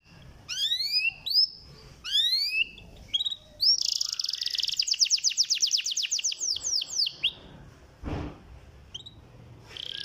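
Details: Canary song used as a lure to stimulate lazy canaries into singing: sweeping downward whistles, a buzzy trilled passage of rapid repeated notes, then a brief thump and scattered chirps.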